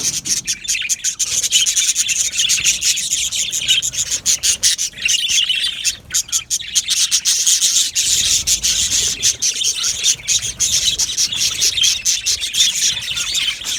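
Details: Large aviary colony of Australian budgerigars giving sustained high-pitched chatter, a busy mix of quick chirps, buzzy warbles and short whistles from many birds at once.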